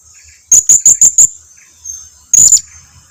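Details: High-pitched lure calls of a blue-crowned hanging parrot, meant to draw answers from quiet birds: five rapid, piercing, thin notes in a row, a short pause, then a doubled note, with a constant shrill background tone.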